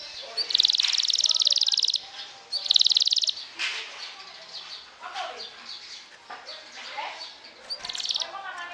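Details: Champion 'sobek' canary trilling to provoke rivals: two dense, high buzzy trill bursts, the first over a second long, then scattered notes and a shorter trill, over a busy background of murmuring noise.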